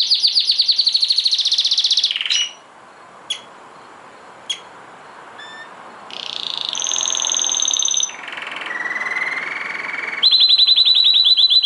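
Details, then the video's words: Strong canary song with rapid trills, rolling buzzy phrases and long whistled notes, broken by a brief quiet stretch with a few sharp clicks before the loud trilling resumes. "Canary bird singing strongly / the best powerful chirping of canary bird"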